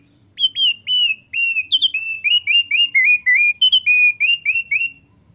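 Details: Male Thick-billed White-eye, a bird that sings often, gives a fast run of clear whistled notes, each dipping and rising, repeated about four per second with brief pauses, over a quiet background.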